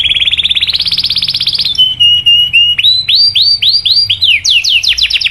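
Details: Canary song used to stimulate other canaries: a long buzzy trill rising in pitch, a level whistle, then upslurred looping chirps and a fast run of falling notes.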